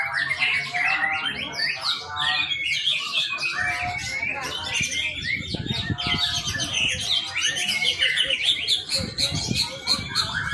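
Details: Young white-rumped shama used as a training lure, pouring out varied rapid phrases of whistles, chips and trills for ten seconds, with scattered low thuds.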